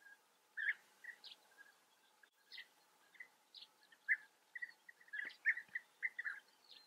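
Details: European bee-eaters in the Eifel, Germany: short, rolling, liquid calls in a mid-high register, given in loose irregular bursts about 44 times a minute, with a few higher thin chirps mixed in and a faint steady hum behind.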